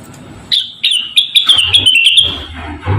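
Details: Javan cochoa song used as a model for training other songbirds: a rapid, chattering run of high, bright notes lasting under two seconds, with a low rumble underneath.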